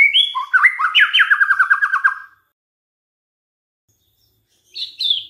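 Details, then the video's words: Shama lure recording, a white-rumped shama provoking rivals to sing: rising whistled notes lead into a fast rolling trill of repeated slurs, then silence and a brief high chirp near the end. "DICOBA PANCINGAN MURAI INI, pasti murai tak tahan diam"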